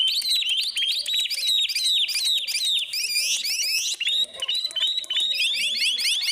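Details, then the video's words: A bird sings a loud, continuous, high-pitched run of varied whistles, trills and rapid chirping phrases with barely any pauses. "suaranya sangat menarik.(burung)."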